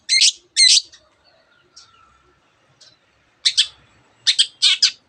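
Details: Long-tailed shrike delivering loud paired chattering notes separated by a quiet stretch, then bursts of harsh chips, within a song imitating canary and many other birds.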